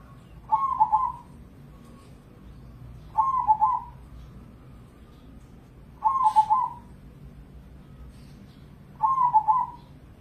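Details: Zebra dove (Geopelia striata), a domestic crossing-type perkutut competition bird said to sing morning, noon and night, gives four soft, stuttering cooing trills, each under a second and about three seconds apart, over a low hum.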